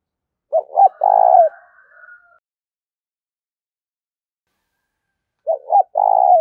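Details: Spotted dove call for luring wild doves: one complete phrase of doubled short coos and a long coo, a pause of about three seconds, then the phrase starting again.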